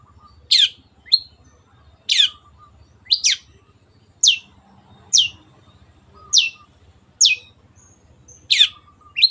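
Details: Cendet, the Long-tailed shrike, on a master track meant to be copied by other birds. About ten short, harsh downward notes come at irregular intervals, some in quick pairs, over a low steady hum.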